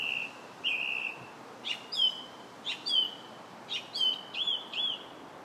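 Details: Song thrush in July, singing drawn-out whistles followed by repeated sharp notes that sweep down, then a quick pair of rising-falling whistled notes, each phrase given two or three times.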